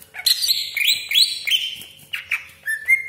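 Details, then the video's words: Greater green leafbird (cucak ijo) in a provocation recording: a quick run of loud, rich whistled phrases, each sliding down from high to lower pitch, ending in short rising and falling whistles. "CUCAK IJO GACOR DOR TEMBAKAN TAJAM BESETAN KASAR ROLL PANJANG FULL ISIAN"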